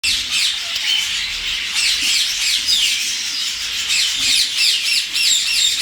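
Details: Very agitated grey parrots in an agitated chorus of harsh, grating squawks, overlapping almost without pause, several calls every second.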